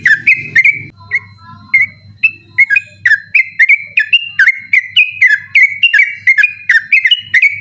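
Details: 'Ropel' song of a yellow-vented bulbul at night, persistent and meant as a tutor for night-contest birds: a few scattered whistles build into a fast continuous run of clear slurred notes, a low hum beneath.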